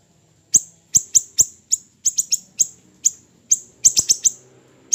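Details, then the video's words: Small siri-siri bird starting after half a second of quiet, then a series of shrill, clipped high chirps with falling tails, partly doubled and tripled, in a quiet setting. "MASTERAN HANDAL burung siri siri kecil"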